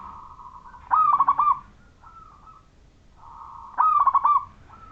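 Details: Local Majapahit-style zebra dove song, used to prompt other zebra doves to sing: soft rolling coo followed by a loud quick burst of stuttered notes, the phrase given twice about three seconds apart.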